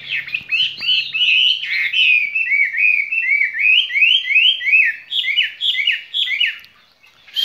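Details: Caged skylark in its spring love song, pouring out a fast stream of repeated downward-swept chirps, roughly three per second, fairly uneven, before falling silent at the end.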